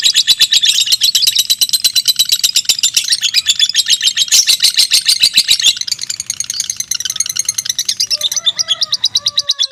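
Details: Fighter-type mentil lovebirds in a close singing contest, two birds, each singing more than two minutes; dense, shrill chattering trill of fast, even pulses, softening briefly near the end as lower chirping notes appear.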